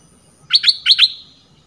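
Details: Red-whiskered bulbul lure call: two pairs of quick, bright, ringing chirps in close succession, crisp and clear over faint hum.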